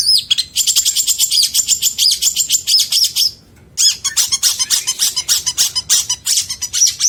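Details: Long-tailed shrike in 2022, a song-material recording for tutoring other birds: a long, fast, harsh rattling series of scratchy notes, a brief pause, then another rapid raspy string of chattering notes.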